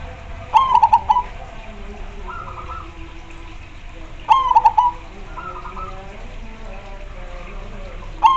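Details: Zebra dove, perkutut, singing in a lively gacor style: a loud trilled coo phrase of quick bubbling notes near the start, answered by a softer fainter coo from another dove, the pattern repeating about every four seconds.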